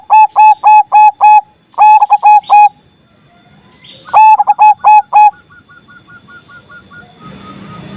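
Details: Loud zebra dove song meant to get silent doves singing: three bursts of rapid, staccato cooing notes, each phrase about a second long, separated by pauses, with a thin series of repeated higher notes from another bird fading in.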